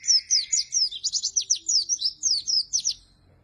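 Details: Oriental white-eye singing briskly, a recording used to lure and train white-eyes that are slow to sing: a rapid chain of high, swooping, slurred notes for three seconds over a faint lower buzz.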